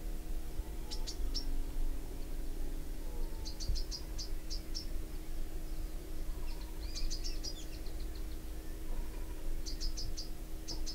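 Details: Bronze sunbird calling: clusters of sharp, very high chips, three to six quick notes per burst, repeated at irregular intervals of a few seconds over a steady low hum.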